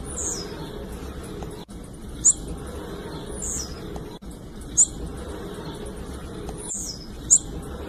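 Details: Female blue-black grassquit call, used to make males sing: a single very high, thin, sharp peep repeated about every two and a half seconds, three times, over steady broadband hiss.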